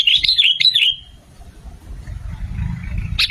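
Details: Lure song of a sooty-headed bulbul: one brisk phrase of quick, bubbly chirps lasting about a second, then fading into low rumbling background noise.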